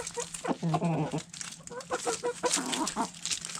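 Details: Backyard chickens pecking at food scraps; a rolling, throaty cluck early on, then scattered short clucks and soft squeaks among sharp pecking taps.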